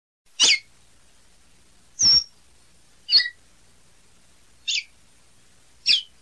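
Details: Caboclinho, a capuchino seedeater, giving five separate high notes spaced about a second apart, each a brief sharp burst with a quick downward or level slur, on an otherwise quiet background.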